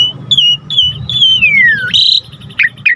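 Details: Asian pied starling in lively full song, used to lure and teach other songbirds; long clear whistles, one sliding steadily downward, then a bright high note and two short downslurred chirps.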